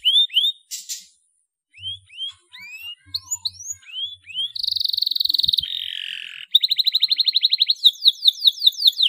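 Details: Canary song recorded to stimulate untrained canaries: spaced rising whistled notes build up, then a buzzy roll drops into a lower grating rattle, followed by rapid clipped notes and a falling whistled cascade.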